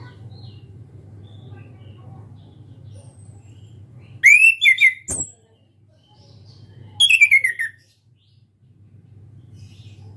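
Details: Caged young orange-headed thrush learning to sing, still shy but starting to sing often. Two loud bursts of rapid, whistled notes sliding downward, separated by a sharp click and a pause, over a low steady hum.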